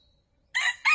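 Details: Male red junglefowl calling as a trapping lure: the abrupt, harsh opening notes of a crow after a moment of silence, two loud bursts, the second cut off.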